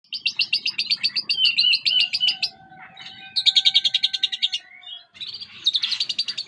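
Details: Lovebird giving its ngekek chatter: bursts of fast, shrill, evenly pulsed chirps, a pause with faint tones, then another rapid run and a final buzzy burst.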